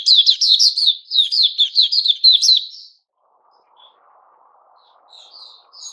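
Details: White-crowned shama kept in a cage during its new-feather season, 6 September 2021, delivering a three-second run of bright, clipped chirps, then near silence with a faint low rumble and a few soft whistles.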